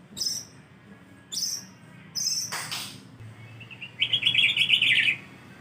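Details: White-rumped shama song used as a lure to make other shamas answer: three short, high whistled notes spaced about a second apart, a brief broadband burst, then a fast buzzy trill lasting about a second.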